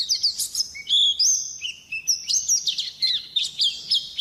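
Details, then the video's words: White-eye song mixing sharp chirps with longer, clear whistled notes held briefly at different pitches, followed by a fast jittery twitter near the end. "suara burung pleci gacor juara"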